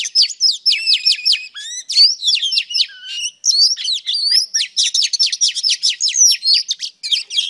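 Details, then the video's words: Female Oriental Magpie Robin singing to stimulate males: rapid, varied high whistles and sharp chirps, with repeated buzzy notes and quick rising and falling slurs in dense, unbroken phrases. "Than mái hót kích trống Oriental Magpie Robin Female"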